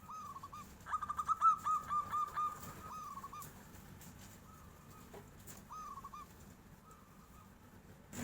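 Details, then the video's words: Local zebra dove answering at once as a tofu seller passes, singing in the flute-like nyuling style: a run of quick, clear, bubbly cooing notes speeding into a rolling series, then softer spaced phrases, with faint background noise. "SUARA NYULING || KOK BISA TUKANG TAHU LEWAT, PERKUTUT LOKAL LANGSUNG NYAUT BEGINI"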